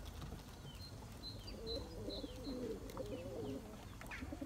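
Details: Turkish tumbler pigeons in their loft, the best pair chasing to breed; soft, wavering coos ripple through the middle while thin high sparrow-like chirps sound repeatedly overhead.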